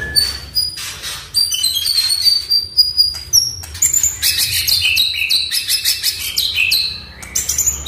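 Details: Oriental magpie-robin song, used to stir a silent bird into singing. Very high thin whistles and pure sustained notes, followed by a quick chattering sequence of bright chirps and twittering.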